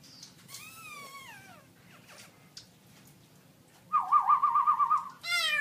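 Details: Gold-award-winning caged black-throated laughingthrush (Garrulax chinensis) from an October 2016 birdsong contest, singing very loud: a slurred, falling whistle, then a loud, rapidly warbling phrase of about a second, ending on another bright note.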